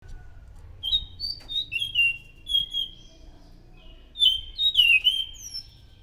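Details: Orange-headed thrush in loud, rich song, used as a lure for other thrushes: clear whistled phrases, some sliding down, others with quick flourishes, in two bursts separated by a short quiet spell; faint low rumble beneath.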